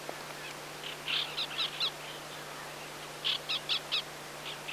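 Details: White-winged Black Tern, a passage migrant, filmed on Yonaguni and in Mongolia; short harsh chattering calls in two bursts of about four notes each, over a steady low hum.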